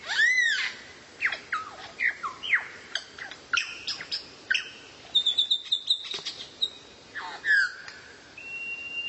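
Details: Varied bird song used as masteran for kacer: loud rising-falling whistle opens, then scattered sharp chirps and downslurs, a quick trill of high ticking notes midway, and a flat sustained high whistle at the close.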